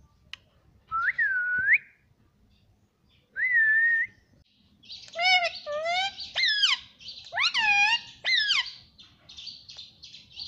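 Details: Pet green ring-necked parrot that says "mummy papa": two clear whistled notes, a dipping one then a level one, followed by a run of quick wavering, squeaky calls and whistles.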